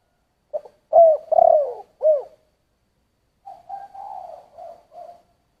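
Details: A spotted dove sings thổ-voice coos. One loud phrase has a clipped note, two long throaty coos and an arched ending. After a pause comes a softer, flatter string of five low hollow notes.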